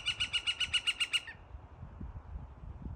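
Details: A Northern flicker in Fish Creek Provincial Park, Alberta, forest, April 2023, gives a quick, even run of about nine sharp, high kek notes in just over a second, then falls silent over a faint low rumble.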